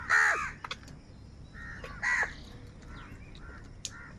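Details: Crows calling while fighting for food: two loud, harsh, nasal caws about two seconds apart, with fainter shorter calls and clicks between them.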